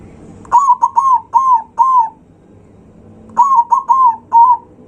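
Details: Zebra dove singing loudly to stir up rival birds: two phrases, each of four mellow, slightly arching coos in quick succession, separated by a short pause, against faint low background hum.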